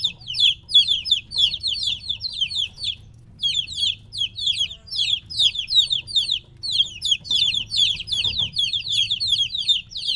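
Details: Many three-week-old domestic chicks separated from their mother, peeping noisily: dense high descending chirps, overlapping in rapid bursts with brief pauses, over a low steady hum.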